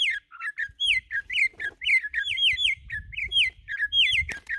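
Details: Red-cowled cardinal, described as one of the best in Brazil at free-style singing, delivering loud clear whistled phrases of sweeping downslurred notes repeated in quick bursts, with soft low rustling and a sharp click near the end.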